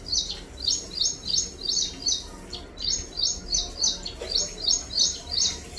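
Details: Bird chirping: fast, even runs of high, sharp notes in short rhythmic bursts, repeated continuously, with a low, steady background hum.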